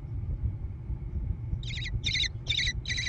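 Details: American kestrel chicks in a gravel-floored nest box on a barn near Prairie du Chien, Wisconsin, USA, on 14 June 2022, recorded by nest camera: after a quiet start, four harsh, buzzy screeches in the second half over a steady low hum.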